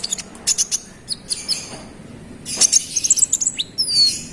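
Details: Konin, the olive-backed sunbird, singing hard to provoke rivals: spaced high chirps give way to a dense burst of rapid twittering notes, closing with a thin downward-sliding whistle.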